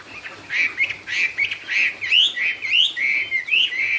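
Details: Song of a Chinese hwamei in the "cao cầu" manner: a lively sequence of short, fluty whistles, some looping up and down, repeated roughly twice per second with a steady, rhythmic delivery.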